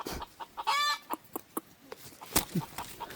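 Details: Red junglefowl lured by a decoy utter a brief, strained, buzzy cry, followed by a few sparse clucks and a sharp click.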